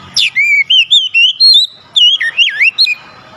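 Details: Oriental magpie-robin song to spur a silent bird: a sharp descending note, then about a dozen loud, sweet whistled and warbled notes in quick succession.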